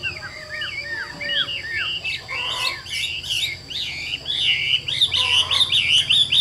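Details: Caged Chinese hwamei, described as 80% tame, opening with four slurred rising-falling whistles, then breaking into dense, loud twittering warbles and trills; faint hum throughout.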